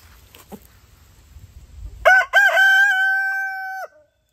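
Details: A 6-month-old Easter Egger rooster gives a single crow: two short clipped opening notes, then a long, steady, harmonic-rich hold of about a second and a half, with a faint low rumble before.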